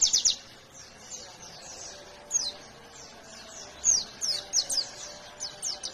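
A white-eye sings in quick bursts of very high, thin, descending twittery notes, with short pauses between phrases.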